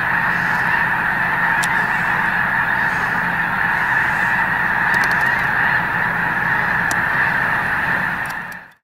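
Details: Over a million snow geese at Loess Bluffs National Wildlife Refuge on a beautiful 21 February 2020 day, with Canada and Ross's geese nearby: a dense, continuous roar of overlapping honking and yelping calls, steady throughout.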